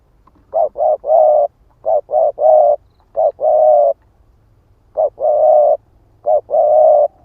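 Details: 'Ức chẻ' spotted dove used as a lure to stir up wild birds, giving three low cooing phrases, each of two or three short hooted notes followed by a long, steady, mellow coo, separated by silent gaps.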